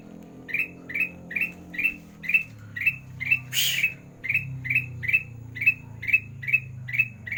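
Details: Kutilang emas in full sandang garigit song for training quiet birds: long steady series of short, buzzy rising chirps about twice a second, interrupted once by a rushing noise burst, with low background hum.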